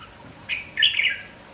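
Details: Energetic village red-whiskered bulbul in morning song: a short soft note leads into a louder, rich, bubbling warbled phrase lasting about half a second, then quiet.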